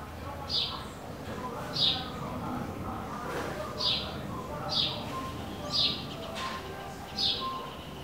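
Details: Bewick's wren nesting in a wooden garden birdhouse in northern Ciudad Nezahualcóyotl, State of Mexico; a short high buzzy note repeated about once a second, over steady urban background noise.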